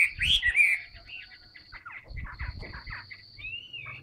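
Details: A caged Chinese hwamei, sold as a strong singer that fans its tail while singing, gives a loud, varied run of clear whistles, quick slurred notes and downslurs, with a faint low rumble underneath.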